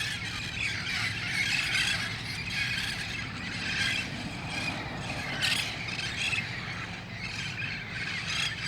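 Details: Red-faced parrots in the wild, massing at dusk in El Cajon on August 1, 2018 ahead of roosting in nearby trees; pulsing bursts of loud squawks from a large flock, background hum throughout.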